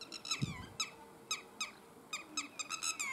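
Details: A Red-wattled lapwing in Balochistan gives sharp, shrill notes, some slurring downward, repeated in quick bursts about three times a second, with a brief low thump early on.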